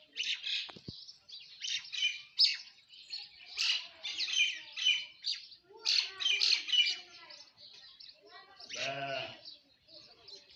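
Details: Myna singing in the morning among Indian birds, with rhythmic bursts of scratchy chirps and squawky notes in quick phrases, then a nasal, croaking drawn-out call near the end before softer chatter returns.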